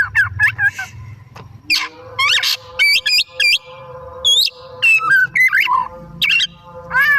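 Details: Oriental magpie-robin singing vigorously in the afternoon to stimulate other birds: a lively string of quick whistled slurs, chirps and trills, with a faint steady low tone underneath.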